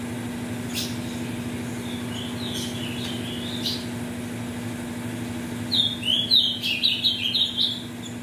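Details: Ultramarine grosbeak kept for song tournaments, from mutation parents, warming up: a few soft scattered notes, then a lively burst of fast slurred whistles near the end, over a low continuous hum.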